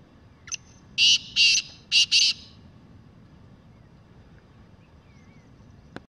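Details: Loud, clear call of a wild black francolin. A faint introductory note is followed by four scratchy, grating syllables, the final pair tightly linked. Quiet background follows, with a soft click near the end.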